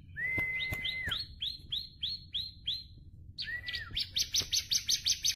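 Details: Tame bar-winged prinia: a steady whistled note followed by a run of evenly spaced upswept chirps, another whistle, then a fast sequence of bright ticking notes.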